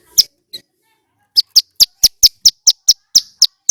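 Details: Loud, clear song of a male bar-winged prinia: two opening chips, a pause, then a fast, steady run of about a dozen sharp, high, piercing notes.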